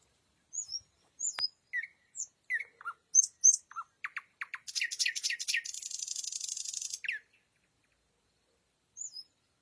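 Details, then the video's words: Nightingale singing at night: scattered high whistles and short slurred notes, then a long dense buzzing rattle for about two and a half seconds, followed by silence and one last thin whistle. "соловей поёт ночью 🌙 noch bulbul sayrashi Nightingale singing"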